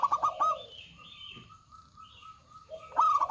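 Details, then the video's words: Local zebra dove with a big voice: a rolling coo phrase opens, then a thin steady tone and quiet background before another stuttered coo phrase begins at the end. "PERKUTUT LOKAL GACOR Suara Besar"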